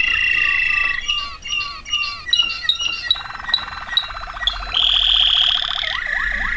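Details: Waterslager canary song from 2009: repeated whistled notes, then a fast rolling trill, a high sustained ringing tone and falling glides at the end.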